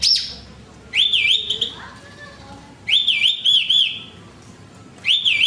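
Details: Horsfield's bush lark repeating a high zigzag whistled phrase roughly every two seconds, each phrase a quick up-and-down wobble trailing off into a thin held note.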